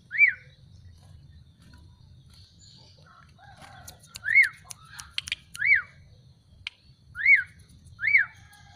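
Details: Black-collared starling, just bathed and sunned, giving loud, clear whistles that rise then fall, repeated five times at irregular gaps, with soft chirps and clicks between and a low background hum.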